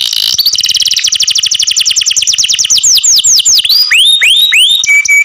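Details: Loud canary singing a very fast trill that slows into broad falling sweeps, then deep arching whistles and a short flat tone at the end.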